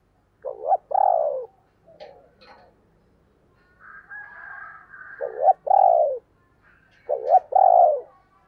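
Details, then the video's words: Spotted dove calling in 2022, thúc and gáy gọi styles: three repeated paired coos, a short note then a longer falling one, about every three seconds, with faint higher chatter and scratches between. "tiếng cu gáy/ thúc + gáy gọi mới nhất 2022"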